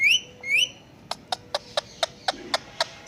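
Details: Pet talking Indian ringneck parakeet giving two bright upswept whistles followed by a steady train of about eight crisp clicks, roughly one every quarter second.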